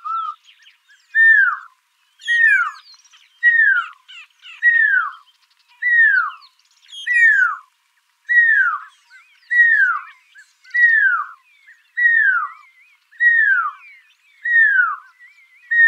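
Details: Song of a Pearl-spotted owlet: a regular sequence of descending, slurred whistles, each dropping in pitch, repeated roughly every second, with scattered high chirps from other birds.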